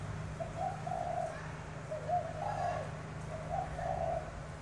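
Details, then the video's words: Spotted dove, Tra Vinh, Vietnam, in a cooing match between a tame and a wild-caught bird; softer, more distant low coos in drawn-out phrases over steady background hum. "Terkukur (Cu gay tra vinh test nước bo 2) Biệt danh bo nhiều gù đấu với bổi nổi thổ rền"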